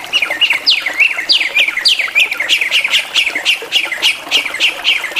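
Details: Drongo in energetic full-song variation, a rapid series of harsh, squawky notes, each dropping sharply in pitch, repeated about three times a second with short bright chirps between.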